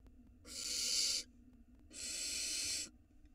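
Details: Nestling barn owl swallowing an enormous rat whole, Israel nest camera, 2022; two strong, wheezing hisses of nearly a second each, half a second of quiet between them.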